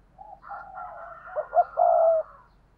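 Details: Spotted dove used as a decoy utters a murmuring build-up of soft notes ending in quick clipped notes and one sustained low coo.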